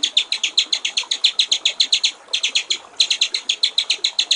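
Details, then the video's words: Clear 'gericik air' (water-trickle) style song of a white-rumped shama, recorded as a master for tutoring songbirds: a steady run of quick, high, rattling notes, about two and a half a second, with one brief break midway. "masteran murai batu/ suara jernih gericik air"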